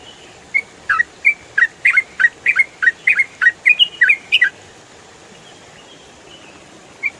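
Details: Ropel-style song of a yellow-vented bulbul (trucukan), recorded as training audio for songbirds: roughly fifteen clipped, chattering chirps packed into four seconds, then near silence with one lone note at the end.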